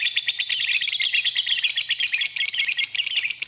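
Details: Lovebird song used as masteran: loud, continuous high-pitched twittering, a rapid jumble of shrill squeaks and chirps.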